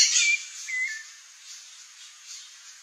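A rufous-bellied thrush gives two short, clear whistled notes, the second slightly falling. A soft steady hiss fills the rest.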